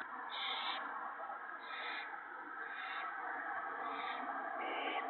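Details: Owls in a nest at night on March 28, 2017, while an adult shreds a gopher for the owlets and one owlet eats a whole gopher. Short, breathy, high hissing bursts repeat about once a second over a steady background hum.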